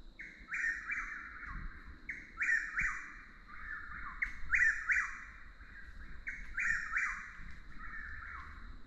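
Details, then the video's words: Chuck-will's-widow calling nonstop, a species very vocal under certain light conditions: loud whistled phrases that sweep and drop, repeated about every two seconds, over a steady high insect-like drone and low rural background rumble. "Sounds of Nature, Chuck-will's-widow | Commonly mis-identified as a Whip-poor-will | Bird Calls"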